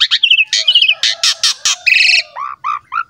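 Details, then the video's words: Asian pied starling singing a lively 'gacor mompa' song rich in borrowed material, used as a lure to prompt young starlings to sing: quick trilled phrases, harsh buzzy bursts, then a series of short falling whistles. "PANCINGAN JALAK SUREN GACOR MOMPA FULL MATERI MEWAH UNTUK JALAK MUDA"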